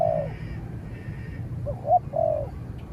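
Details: Spotted dove in a calling contest between a training bird and a wild dove that fights from afar. A falling coo is followed by two short notes and another drawn-out descending coo.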